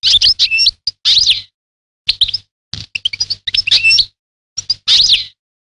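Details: European goldfinch song of bright twittering phrases, buzzy and liquid notes with wavering whistles, delivered in short bursts separated by brief pauses.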